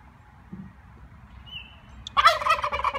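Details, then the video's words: Turkey at an animal sanctuary: quiet background, a brief thin whistle, then a sudden loud rapid gobble of rattling throaty notes. "A Turkey Gobble"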